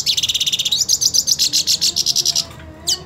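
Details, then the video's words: Purebred hooded siskin, eager to fight a rival hooded siskin, pours out rapid high chattering notes about four per second, with twangy slurred elements mid-phrase, easing off before a final sharp rising note. "Cabecita Negra Canta Y Quiere Pelea / Pintassilgo Quero Lutar"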